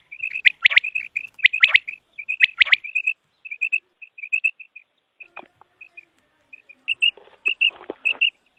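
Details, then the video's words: Common quail, known locally as batair, calling for quail hunting: tight groups of short, clear whistled notes at a steady pitch, repeated about once a second, with some sharp upward flicks and a few fainter calls later. "Common Quail Sound | For Quail Birds Hunting | Batair Ky Shikar ky Liye Batair Ki Awaz"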